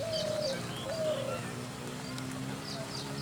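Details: Two clear, low coos of a spotted dove, each a steady tone ending in a short downward slur, about a second apart, then faint high chirps and a low steady hum.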